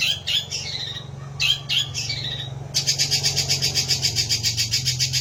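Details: Long-tailed shrike, a caged songbird, giving slurred squeaky falling whistles, then a fast steady rattling chatter of high scratchy notes over a low background hum.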